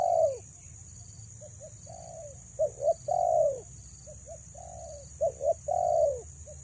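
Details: Female spotted dove cooing to attract males: falling hollow coos and pairs of quick clipped notes, with fainter distant coos between phrases and a pulsing high-pitched whine in the background.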